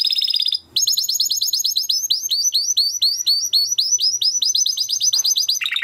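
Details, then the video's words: Timbrado canary song for canary training: a brief burst, a short gap, then a long run of rapid, evenly repeated high chirping notes ending in a lower buzzy phrase. "Υour canary will sing UNSTOPPABLY"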